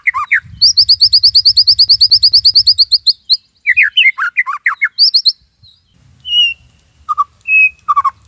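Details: White-rumped shama, tembakan Cililin song for master training: a three-second run of sharp high repeated notes, then jumbled whistles and scattered single calls over faint low background noise.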